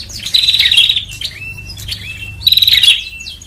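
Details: Bar-winged prinia lure call, used to draw small birds in: two loud buzzy, rattling bursts near the top of the range, each about half a second long with a trailing slur, and softer chirps between them.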